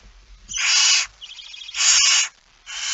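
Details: Barn owl with a mouse, Friesland, Netherlands: two loud breathy hissing screeches linked by a softer buzzy trill, followed by the start of a third hiss.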